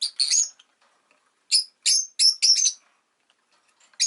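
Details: Rosy-faced lovebird kept as a pet gives a rapid run of piercing, high chirps bunched in close groups, then a short pause before a fresh burst at the end.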